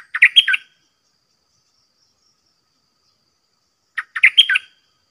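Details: Red-whiskered bulbul in a cage contesting wild birds that come down to fight, giving two short, fast phrases of bright, fluty notes about four seconds apart, with silence between.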